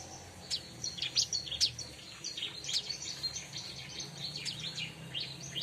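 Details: Bar-winged prinia song, played to lure wild birds of its kind: bursts of high, thin chirps and sharp notes in quick irregular runs, louder near the start, fading to softer twittering, over a low steady background hum.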